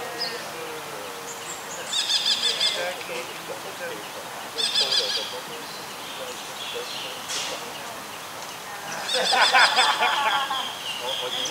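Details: Buffy fish owl juvenile calling while practising hunting, giving three grating, buzzy bursts roughly every two to five seconds, the last longest and loudest, with other birds chirping and a high steady hiss behind.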